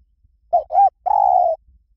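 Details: Spotted dove cooing in the lui tan song style, played to lure and train other doves to coo back: two short mellow hoots, then one long steady coo near one pitch, clean quiet background.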